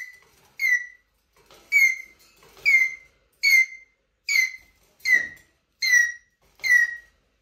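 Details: Plaintive squeaks from a Eurasian jay kept indoors: eight sharp, downward-sliding whistled notes with ringing harmonics, evenly spaced roughly once a second.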